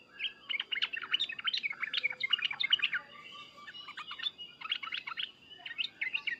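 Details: Yellow-vented bulbul giving emotional, hard calls: irregular, jumbled bursts of sharp chirps and bubbling notes that keep going without a break, over low background noise.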